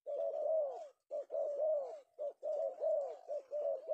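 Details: Male spotted dove, called Penguku, caught in Indonesia in the afternoon and prized by bird-luring keepers. It gives a run of low, rounded coos in quick bursts with short silences between phrases.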